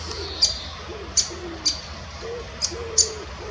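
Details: Great spotted woodpecker (Dendrocopos major) at Munich Botanical Garden giving five sharp, high 'kix' notes at uneven intervals over a few seconds, with soft low cooing and a steady low hum behind.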